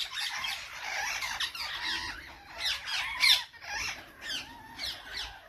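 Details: Several parrots calling together: continuous overlapping harsh squawks and squeaks, rising and falling in loud bursts every second or so, with one sharp shriek in the middle.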